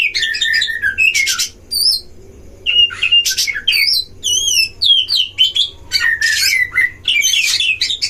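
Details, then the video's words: Magpie-robins duelling in a breeding enclosure, a lure to provoke rival birds: rich, varied song of undulating whistles, stacked trilled notes and harsh bursts, with a short pause early on. "DUEL KACER di kandang ternak‼️pancing semua jenis kacer cpt emosi"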